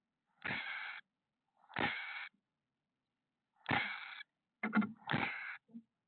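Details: A female chestnut-backed chickadee guarding young in a nest box, San Francisco south bay peninsula, 8:06 PM, 27 May 2021, gives four harsh, breathy snake-like hisses with tail fanned and lunges when a larger bird lands on the box.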